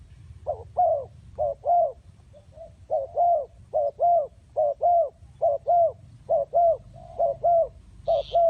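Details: Spotted dove repeating clear paired coos, a short clipped note then a longer mellow one, about ten times at an even rhythm, with a faint higher chirp at the end.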